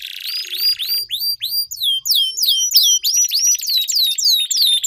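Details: Two canaries duelling in song, used as a lure for competition birds: repeated hooked whistles in quick series, building to a long rolling trill.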